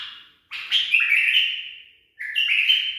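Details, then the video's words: Tame pet bulbul, trained song: two loud whistled phrases, each a bright warbling burst that steps between pitches and fades out over about a second, separated by a short pause; clean indoor recording with no other sounds. "بلبل أليف تخريج صحيح"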